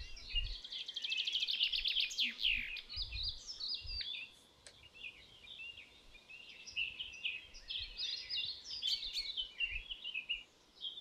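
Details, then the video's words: Canary song: a long, continuous run of bright high trills and rapid chattering phrases, loud at first, briefly fading mid-way, then resuming with varied twittering notes over steady low hiss. "Canary Singing"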